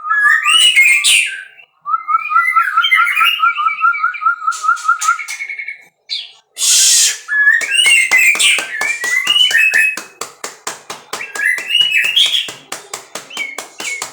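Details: White-rumped shama from captive breeding, singing varied whistled phrases with slurred rising notes, a steady rapid trill near the start, and loud sharp clicks between phrases.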